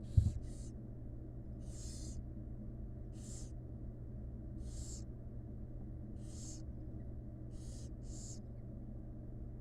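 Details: Wild barn owl chicks in a monitored nest box begging while the mother feeds them: harsh, hissing snore-like bursts about every second or two over a steady low hum.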